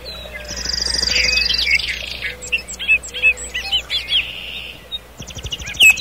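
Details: Nightingale singing in a forest at night, a high buzzy trill giving way to a string of quick, separate chirps and whistles, closing with sharp notes; a soft low hum beneath.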